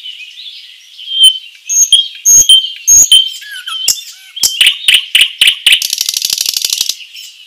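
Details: A common nightingale in a forest sings a varied phrase: pure high whistles and sharp clicking notes, then a fast, dry rattling trill of about a dozen notes. No other sounds intrude.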